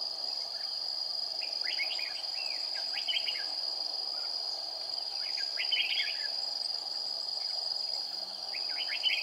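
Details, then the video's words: Red-whiskered bulbul used as a decoy while trapping, singing in a fight on a hot day of 40 degrees on 20 April 2019: brief bursts of bright, warbled notes, masked by a loud steady insect drone. "Bẫy chào mào Chơi cục súc"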